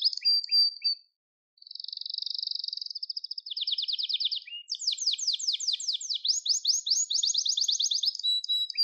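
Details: Gloster canary singing for song training: clipped chirps, a pause, a smooth sustained buzzing roll, then rapid rhythmic trills and sweeping syllables repeated several per second.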